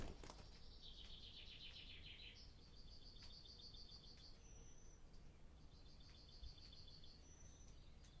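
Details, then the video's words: Barn swallow inside an old barn by daylight as breeding begins: a quiet, buzzy descending warble followed by a series of even, mechanical high rattles and thin whistles over steady low background hum. "Barn Swallow Sound Library"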